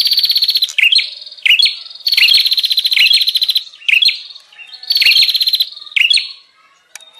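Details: Bar-winged prinia call used as a lure for wild birds: loud grating trills punctuated by sharp downward chirps, delivered in about five bursts with softer gaps between.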